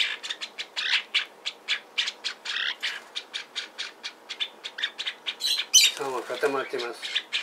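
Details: Apparently happy lineolated parakeet, a hand-tame pet-shop bird in Fukuoka, Japan, repeating short, sharp, squeaky chirps at a steady quick pace, about four a second, with a brief human voice near the end.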